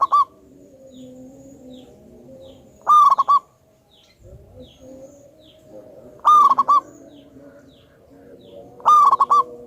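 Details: Lure recording of a highly vocal local wild-type zebra dove with a big voice. Loud staccato cooing phrases come roughly every three seconds: a sustained note followed by rapid short notes, over a faint low humming background.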